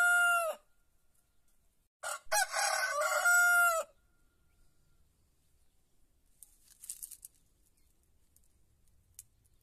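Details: White rooster crowing just before dawn in a quiet Andalusian village among olive groves: the brief end of one crow, then a full loud crow of about two seconds with choppy opening syllables and a long, steady final note. Quiet afterwards.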